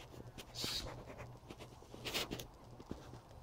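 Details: A blue jay, which likely has a nest in a nearby tree, gives two harsh, rasping jeers about a second and a half apart at a cat seen through an open window, trying to scare it off, over a low hum and faint rustling.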